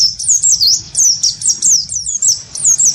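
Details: Great tit, wingko type, in a fighting exchange provoked by a white-eye: a steady stream of high, piercing, down-slurred whistles, about four each second.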